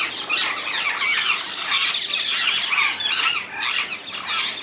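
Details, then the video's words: Wild rose-ringed parakeets in the Netherlands, several birds calling at once: a dense, continuous chorus of shrill, grating squawks and chattering screeches. "Indian ringneck parrots in the wild, ringneck parakeets sounds"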